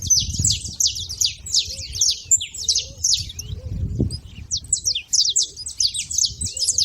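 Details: Saffron finches noisy at a feeder, giving a dense chatter of high, clipped chirps from several birds at once, plus a few faint lower whistled notes and a low background rumble.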